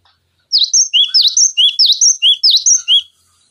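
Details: Cinereous tit tutor song for training magpie-robins and other fighter birds: crisp alternating high and low whistled notes, rapidly repeated for about two and a half seconds in a quiet setting.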